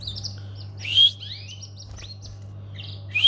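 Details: Domestic canary giving high, thin chirps and short upward-sweeping whistles in scattered bursts, with a steady low hum in the background.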